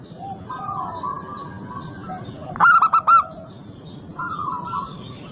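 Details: Singing local zebra dove meant to coax other birds into song: quiet drawn-out cooing, then one sharp burst of three to four bright stuttered notes midway, followed by more soft coos over low background hum.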